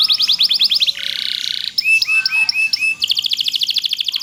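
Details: A kenari loper canary sings a long tutoring song for other canaries: a rapid burst of repeated notes, a buzzy rattling trill, a few upswept whistles, then another fast run of bright repeated notes.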